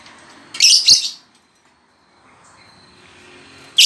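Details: Lovebird utters a loud double burst of shrill, grating chirps, followed by a quiet stretch with faint background hiss and one more sharp chirp at the end.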